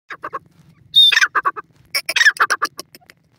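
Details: Grey francolin calling loudly: harsh, harmonic-rich notes delivered in quick bursts of three to five, each burst clipped and strident, with a brief thin whistle near the middle and a faint low hum beneath.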